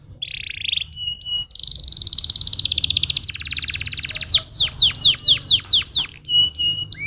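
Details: A canary delivers a stimulating song: a short buzzy note, then a long fast rattling trill sustained for over two seconds, followed by evenly spaced, plunging whistled notes.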